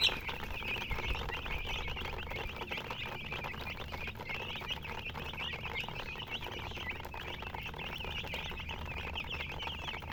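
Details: Baby chicks chirping as a crowd, soft high cheeps running on without pause, fairly quiet, over a constant low hum.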